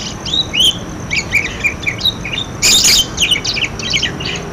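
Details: Budgerigar chatter to encourage quiet budgerigars to call: varied short whistles and chirps in a busy warble, with a loud noisy burst just before the three-second mark.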